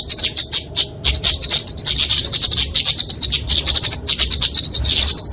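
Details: Flowerpecker fighting song, used for training and luring songbirds: rapid, sharp, high-pitched chipping notes strung into almost continuous bursts with a few short gaps.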